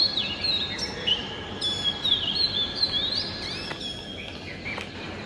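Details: Oriental magpie-robin song recorded early in the morning: a varied run of whistled notes with quick slides and short twitters, over faint background hiss and a few clicks.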